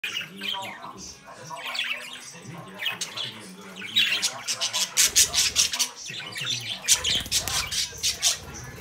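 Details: Young captive budgerigars from a home brood, playing and interacting after leaving the nest. Scratchy warbling chatter gives way after about five seconds to a dense run of sharp, rapidly repeated squawks and chirps.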